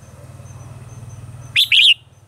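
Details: One phrase of Red-whiskered bulbul morning song, mature wild-style voice used as a lure for training caged birds: a quick bright note then a longer wavering warble, after a steady low pulsing hum.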